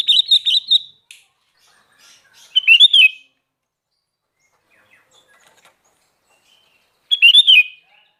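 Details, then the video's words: Kutilang garuda, a sooty-headed bulbul, in lively song: a stuttering chirpy burst, then two separate short, rich, slurred phrases several seconds apart against quiet. "Burung Kutilang Garuda Gacor"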